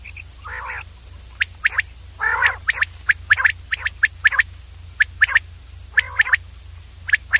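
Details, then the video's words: Common quail giving rapid sharp high pips in clusters, several coarse rasping bursts in between, about one call per second, against a steady low hum. "common Quail sound clear audio long 35 Mon/ Batir ki saaf awaz"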